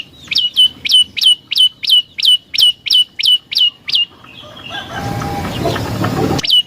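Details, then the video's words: Prinia (prenjak lumut) song used as a lure: a fast series of about ten sharp, upslurred whistled notes, each ending in a short level tail, repeated about every third of a second, then a stretch of rushing noise. "Suara Burung Prenjak Lumut | Pancingan Prenjak Lumut Isian Sekali Denger Langsung Nyaut"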